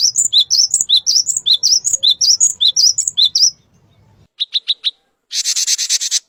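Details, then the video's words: A male cinereous tit delivers a long fast series of paired whistled notes, high then lower, about three and a half seconds, then four clipped chips and a harsh buzzy chatter. "Suara Burung Glatik Batu Jantan"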